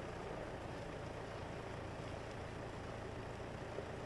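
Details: Low idling engine drone with constant broadband hiss, and no animal call anywhere.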